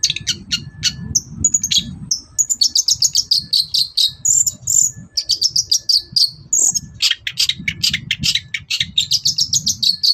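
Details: Morning song of a long-tailed shrike, intended to provoke answers from other birds: rapid sequences of sharp, high chattering and thin whistled notes, with a persistent low rumbling underneath.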